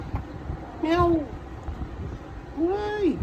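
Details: Pet grey parrot, eight months old, kept at home and fond of repeating words, ringtones and doorbell sounds, gives two rising-then-falling whistled notes over a noisy indoor background.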